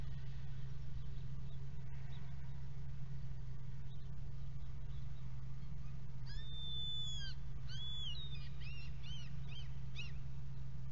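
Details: Common kestrel pair together at a nest box, recorded 22 March 2018 around 08:52; after six quiet seconds, a drawn-out whining call with harmonics, then a run of short, rising-falling squealing notes, all over a steady low electrical hum.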